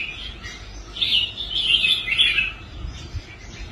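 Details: A caged red-whiskered bulbul, restored after giving up competing, delivers one rich, rapid warbling phrase lasting about one and a half seconds, with quiet background before and after.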